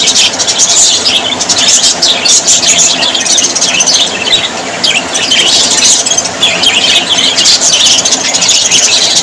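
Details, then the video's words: Many budgerigars chattering at once: bright, high-pitched warbling and rapid squeaky chirps form a thick, unbroken wall of sound throughout. "Australian parrots voice ☺️ Parrots very happy 😊"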